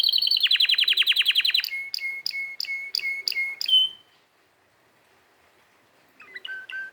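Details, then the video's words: Canary song: a fast rattling trill gives way to evenly spaced sharp notes, each a click with a flat whistle, then a pause and a few soft falling chirps. "canary singing video"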